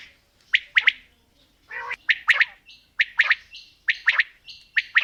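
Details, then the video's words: Quail, female and male calling: sharp high clustered notes in twos and threes, mixed with short rasping bursts and thin whistles, repeating rapidly. "Female Batair Calling | Male Batair Sounds | Mix Calling| Batair Ki Awaz | Batair Ki lambi Awazay"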